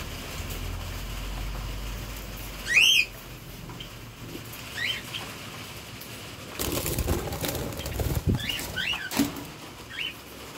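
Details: A breeding budgerigar, kept with chicks, gives a sharp, rising chirp, followed later by a few softer chirps amid wing flutters.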